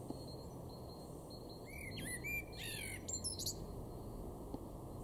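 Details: Garden in Weener, East Frisia, Germany, March 2024, where a male blackbird delivers one short warbled phrase of mixed fluted and higher twittering notes, then falls quiet against a constant low hum.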